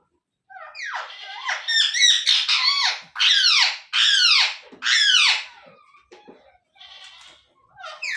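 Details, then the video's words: Pet Indian ringneck parrot young being fed indoors; a quick run of scratchy chirps leading into four loud, drawn-out, downward-curving squawks, then fainter chatter. "Ringnaeck Parrot Natural Sounds | Baby Parrot Sounds"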